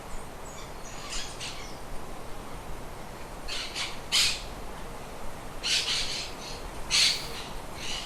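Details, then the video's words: Birds in a shed; rough, noisy squawks in irregular bursts, several close together, over a constant broad hiss. "Sonido de aves en el galpón"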